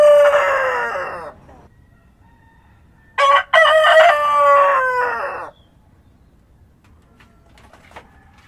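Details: Rooster crowing at dawn with rural morning ambience. The tail of one crow fades into quiet. A full second crow follows, with a short first syllable, a brief break, and a loud, two-second, slightly descending call. Faint distant sounds come afterward.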